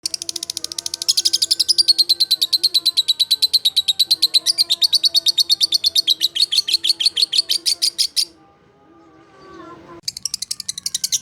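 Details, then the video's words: Lovebird performing a long ngekek trill: a fast, even run of rasping high chirps, about three per second, lasting some eight seconds. It breaks off into a short quiet gap, then the trill starts again. "Burung Lovebird Ngekek Panjang Mantab"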